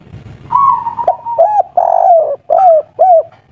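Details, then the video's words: Spotted dove calling kuk 3 style, a wild local bird said to be agitated and noisy: one long level coo followed by four short arched coos in a bouncing rhythm. "Derkuku tekukur kuk3 lokal alam asli ngamuk bikin ribut || suara besar"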